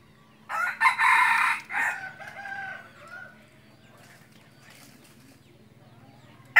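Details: Decoy red junglefowl used for hunting wild junglefowl: one loud, harsh, broken crow lasting about a second and a half, trailing off into quieter rasping notes, then a low background hum and a sharp knock at the end.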